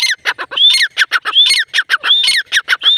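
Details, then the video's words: Female grey francolin calling: a fast run of harsh, squawky notes about once a second, each with a rising whistled upstroke, loud and dense throughout. "Grey francolin teetar sound | Female teetar ki awaz"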